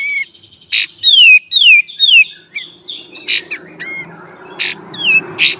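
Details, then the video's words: Cream-vented bulbul (kapas tembak) in full 'beset' and 'tembak' song, used as a master recording for training songbirds. Clear falling whistled slurs mixed with sharp explosive chip notes at irregular intervals, with a low steady hum beneath. "KAPAS TEMBAK FULL BESET DAN TEMBAK | MASTER GURU BURUNG KICAU"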